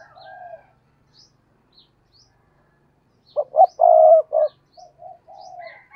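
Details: Spotted dove serving as a decoy for catching wild doves; after a quiet coo and a silence, it gives stuttering lead-in notes and a strong, sustained coo, then softer trailing coos, with faint distant chirps.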